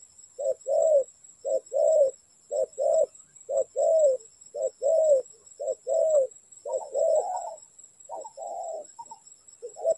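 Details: Spotted dove calling at a trapping site: a brisk series of paired low coos, short then longer, repeated steadily, becoming more ragged and overlapping near the end, over a faint high steady whine.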